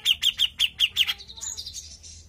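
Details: Grey-cheeked bulbul (cucak jenggot) singing vigorously in gacor style for a pancingan lure recording: six sharp, bright chirps repeated evenly about every fifth of a second, then a softer, thin, wavering high twitter.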